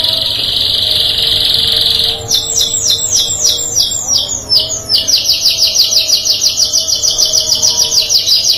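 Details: Canary singing, with other canaries said to answer within two seconds: a steady high buzzy tone for two seconds, then fast repeated falling whistled notes, ending in a rapid rolling trill of upswept notes.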